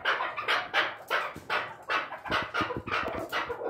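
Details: Farmed chukar partridge calling: a steady series of short, hoarse chuck notes pitched in the mid range, repeated about two to three times per second, with light background clatter.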